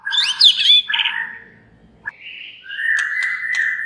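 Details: Song of a white-rumped shama, played to make rival shamas reply and sing: a burst of sharp, sweeping high whistles and rough notes, a short pause, then a long level whistle crossed by snapping clicks.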